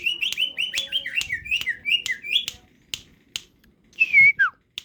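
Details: Greater green leafbird singing with crest raised: a fast run of whistled, slurred notes repeated about four times a second for two and a half seconds, then scattered clicks and a brief louder descending whistle.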